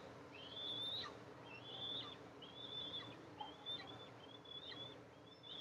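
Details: Nest of Eastern imperial eagles, mother coming to feed her two eaglets, July 14, 2024; a run of six high, slightly wavering whistles, roughly one per second, softer against a faint background hiss.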